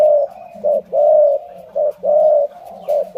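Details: Spotted dove of the Malay line cooing in a low, mellow voice: a drawn-out coo followed by a short clipped coo, the pair repeating roughly every second, steady and clear with little else audible.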